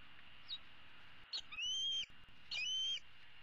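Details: Begging bald eagle eaglet, a female hatched in 2016, calling from a tree roost for her parents to bring supper on 15 April 2016: short sharp chips followed by two drawn-out, high, slightly arched whistles.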